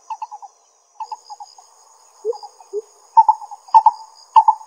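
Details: In Pingtung County, Taiwan, on 22 May 2016, a lesser coucal gives quick clusters of soft hollow notes, two lower slurred calls, then louder doubled notes near the end, with a thin high background tone.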